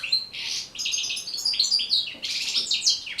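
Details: European goldfinch song meant for teaching and motivating kept goldfinches: a loud burst of rapid tinkling twitters and buzzy trills, briefly pausing midway before resuming.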